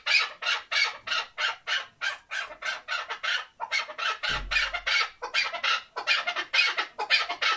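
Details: Male chukar partridge, a hunting bird, delivers a long, fast run of raspy chuk notes, about three a second, with one low thump partway through.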